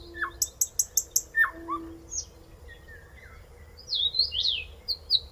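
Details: Common nightingale, a member of the chat family, in song: a quick series of high clicking notes, then varied slurred whistles, some falling, some rising, ending in sweet high warbled phrases; steady low hum in the background.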